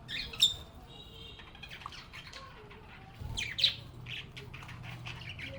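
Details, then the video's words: Happy budgerigars chatting together: a loud squawk opens, followed by scattered scratchy chirps and short whistled notes, then another sharp outburst after the midpoint over a low hum. "Relaxing Sounds of Singing, Playing, and Talking Parakeets"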